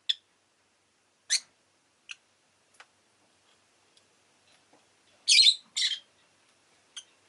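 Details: Rosy-faced lovebird kept as a pet, giving sharp, harsh chirps in scattered bursts, a loud double squawk near the end and quieter clicks between, with long silent gaps.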